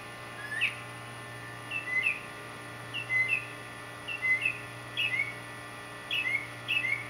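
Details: Male northern mockingbird courting a mate with borrowed songs: paired whistled notes, a sharp upslur then a lower slurred whistle, repeated roughly every second over steady background hum.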